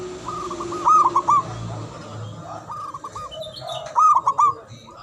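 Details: Local Javanese zebra dove whose natural song is meant to make silent doves answer: stuttering, rolling coo phrases, a fainter one between two loud ones, over a low background murmur.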